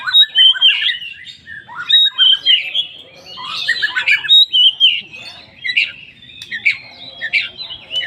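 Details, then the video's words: Oriental magpie-robin (poci) singing a full isian lure to prompt other magpie-robins to sing: a fast, continuous run of harsh squawks, chirps and bright whistled notes, several phrases every second. "pancingan Kacer poci full isian"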